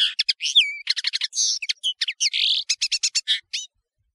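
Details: Singing European serin, the bird known as nino in Algeria and kamatcho in Morocco: an unbroken, hurried string of high, thin, tinkling and buzzy notes mixed with a slurred whistle, ending abruptly.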